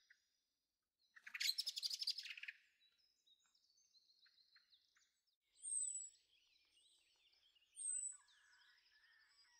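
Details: Young Common Blackbirds in a garden on the Veluwe, Netherlands, 30 April 2014: a loud burst of rapid, buzzy chattering notes, then thin high whistled slurs and two short bright calls over faint twittering.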